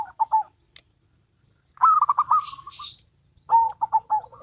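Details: Perkutut, local and crossbred birds singing in duet: three cooing phrases near the same pitch, each of several short stuttered notes ending in a trailing roll, separated by silences, with a brief higher hiss mid-clip.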